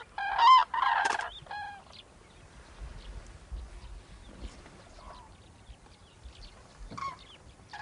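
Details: Flock of wintering Common Cranes in Gujarat, India: loud ringing trumpeted calls overlap near the start, then fainter scattered calls and a last clear bugle, over a low rumbling background.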